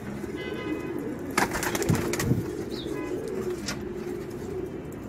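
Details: Racing pigeons with children: a continuous low cooing drone from several birds, broken by sharp clattering knocks and a brief higher chirp partway through.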